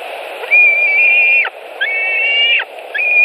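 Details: White-tailed eagles at a nest in Latvia, 26 July 2018, as an adult arrives with a bird as prey: long, level, whistled piping notes with harmonic bands, each held about a second, over low steady background hum.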